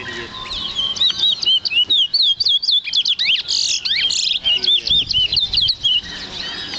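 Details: Lesser seed finch, a caged songbird in a friend's home in Clonbrook, Guyana, recorded January 2008, sings a fast, unbroken string of high whistled and twittering notes, with a few brief rougher squeaks and low background room sounds.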